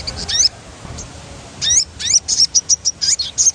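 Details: High-pitched crimson sunbird notes for stimulating captive birds to sing: a few quick falling slurs, a pause, then a string of short, sharp chips spaced evenly.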